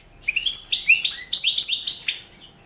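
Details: Balkan European goldfinch singing for an online world championship contest: short phrase of about a dozen clear, rising whistled chirps in quick succession, then quiet.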